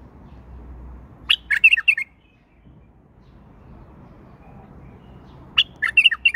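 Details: A tame male bulbul in song delivers two lively phrases of clear, quick warbled notes, each opening with a sharp upward note and then tumbling through several bright syllables, a few seconds apart, against faint background noise.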